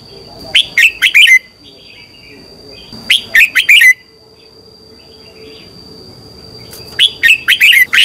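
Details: Red-whiskered bulbul morning training song: three lively phrases, each a rapid run of four or five warbling whistles, with roughly two-second gaps between them. A faint constant high-pitched tone is heard throughout.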